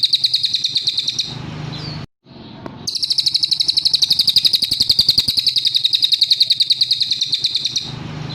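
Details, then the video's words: Master song of a cililin for tutoring songbirds: brief high chipping, a gap, then a long sustained series of quick, evenly spaced, shrill notes on one pitch lasting about five seconds, with a soft low hum behind. "Burung CILILIN asli cocok untuk MASTERAN MURAI BATU,KACER,CUCAK HIJAU,LOVEBIRD"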